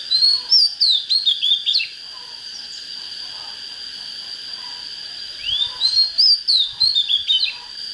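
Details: Oriental magpie-robin singing to fire up birds for fighting: two bursts of rapid whistled and twittering phrases a few seconds apart, with a constant high tone and faint low background noise between them.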